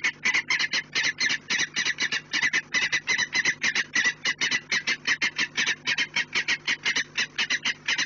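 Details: Rapid, harsh repeated kek notes from a peregrine falcon at the nest on the Orlen site, recorded 4 March 2019 at 16:28; an unbroken, fast chattering series over a constant low mechanical hum.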